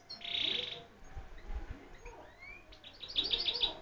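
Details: European goldfinch with a beautiful voice: one harsh buzzy note opens, then a brief pause with faint sliding tones, and a fast run of high twittered notes at the end.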